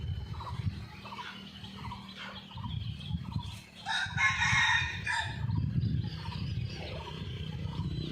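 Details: Red junglefowl in the wild, watched by a concealed camera the morning after a storm and very active. A single coarse crow of just over a second stands out against low rumbling noise and repeated chirps from other birds.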